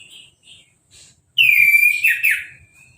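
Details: Freshly moulted caged Orange-headed thrush singing after being bathed with a hose spray, uncovered; soft notes lead into one loud clear whistled phrase that slides down, then a brief buzzy twist.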